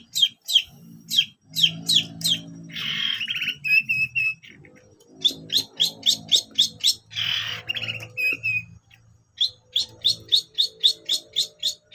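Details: Long-tailed shrike in busy song: fast bursts of sharp high chips alternating with harsher, rasping, buzzy phrases, then more rapid chip series. Low background hum throughout.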